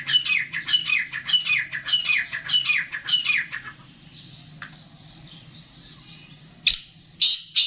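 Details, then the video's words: Black francolin (Gangas line) gives a rapid series of rasping, falling notes for about three seconds, then stops; a low hum continues, followed by a few sharp knocks and a brief scratchy burst. "Kala Teetar Gangas Nasal Black Franclion Voice"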